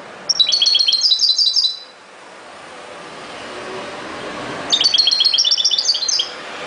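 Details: European goldfinch singing: two bursts of rapid, tinkling twittered notes high in pitch, each lasting over a second, separated by a pause filled with steady low background hum.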